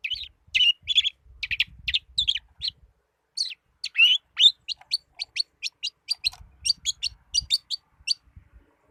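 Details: Song of a young long-tailed shrike in trotol style, quick runs of bright chirps and buzzy twitters, ending in a fast series of evenly repeated high notes; faint low rumble in places.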